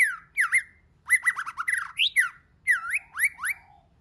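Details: Multi-voiced White-rumped shama song used to excite other shamas: rapid series of looping, up-and-down whistled notes and harsh chattering stutters, delivered in three quick bursts.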